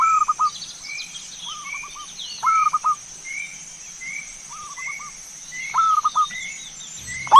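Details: Zebra dove song used as a lure: phrases of a sliding coo and short stuttering notes, answered by fainter phrases, recurring every one to two seconds. Another bird repeats a thin, higher note about twice a second throughout, over a constant hiss.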